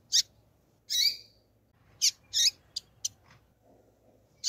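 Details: Rusty-collared seedeater, a spirited male with a female calling to stimulate the male: short, high, sharp chirps in separate bursts, some slightly drawn out, spaced irregularly over a faint low hum.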